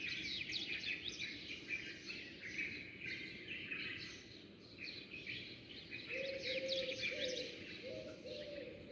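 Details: Many sparrows chirping at dawn, birds coming and going; dense overlapping high twittering chirps fill the whole stretch, with a low steady cooing tone entering near the end.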